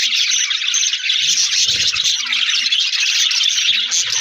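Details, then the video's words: Budgerigars in an aviary colony keep up a constant, busy wall of high chirping and twittering from many birds together, steady in loudness throughout, with faint low knocks in the background. "Best Beautiful Budgies Parakeets Sounds Budgies Talking"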